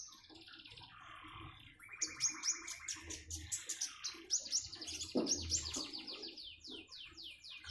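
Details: Common iora with the sound of trickling water: buzzy trills and rattles lead into rapid high whistled chirps in quick succession.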